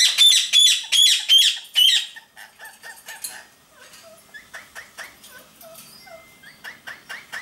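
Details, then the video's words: Two pet Indian ringneck parakeets, a blue male and a pastel violet lacewing female, playing and flirting: loud harsh screeches at first, then a rapid run of shorter chattering calls repeated about three times a second. "IRN Parrots Chrono and Jasmine talking playing flirting"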